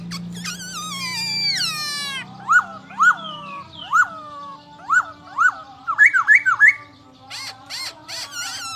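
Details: Masked laughingthrush, a songbird of valley habitat, singing after a run of high descending sweeping tones: hooked whistled notes repeated about every half second, then a fast triple of rising whistles and brief harsh bursts.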